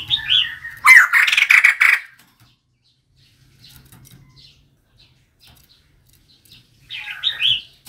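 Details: A female White-crested laughingthrush calls as a decoy. A short, high, slurred whistle leads into a rough, rapid chattering burst, and after a long quiet gap another high whistled phrase follows.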